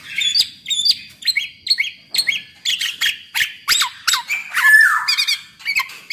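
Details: Black-naped oriole singing a busy, chattering song used as a lure to get other orioles to sing: rapid series of short clipped notes and slurred whistles, several per second, with one longer descending buzzy note near the end.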